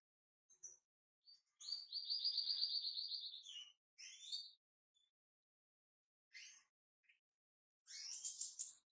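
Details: A kept pair of white-chinned European goldfinches. A long, bright, rippling trill, then short twittering bursts and a buzzy jumbled phrase, all high-pitched, with quiet gaps between them.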